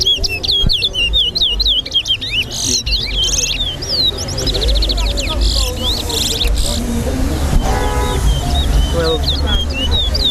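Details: Competition song of a towa towa (large-billed seed finch) at a singing race at Lusignan bird ground, Guyana: rapid, varied whistled phrases with sharp rising and falling notes throughout, over people talking, low traffic rumble and crowd noise.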